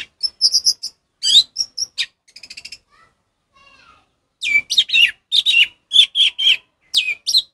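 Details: Orange-headed thrush in 'ngeplong' song style, a master recording for training caged birds that have stopped singing; high chirped and whistled phrases in bursts, a soft rapid trill, a pause, then loud strident notes repeated in quick succession.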